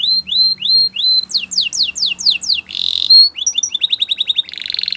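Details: Canary training song with rising whistled slurs repeated about three times a second, then falling sweeps, a short harsh buzz, and rapid chirping trills.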